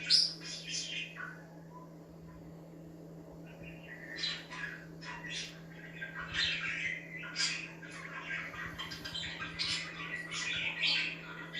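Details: Budgies chirping to make other budgies active, a lively run of loud high squeaky chirps and rapid chattering warbles, denser in the second half, over a low electrical hum.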